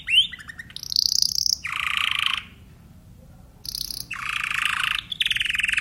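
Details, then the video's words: Timbrado canary delivering short sliding notes, a high trill and a lower, dense, buzzy roll. A pause of more than a second follows, then the high trill and low buzzy roll return. "canary timbrado"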